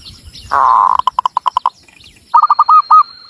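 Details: Local Javanese zebra dove, Cilacap, Central Java, giving a rolling burst that breaks into about seven evenly spaced pulses, followed by a run of short hooked, rising coos.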